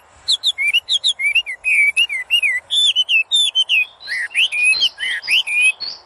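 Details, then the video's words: Common hill myna singing a varied sequence of sounds: rapid strings of clear whistled notes, some rising, some falling or wavering, many short chirps in quick succession with brief gaps, plus a few harsher buzzy notes near the end. "Mynah Bird Singing Various Sound of Hill Myna"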